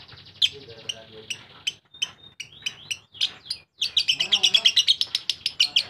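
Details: Lovebird chirps begin sparse and uneven, separate sharp notes and short slurred whistles, then break into a quick, loud rattling ngekek burst in the final two seconds.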